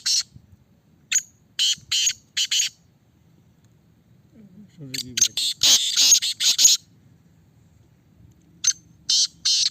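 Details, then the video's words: Black francolin held in a cage for testing, giving rasping broadband notes in short groups at the start and end, with a human voice and handling noise cluttering the middle. "Kala Teetar ki Test کالا تیتر کی ٹیسٹ"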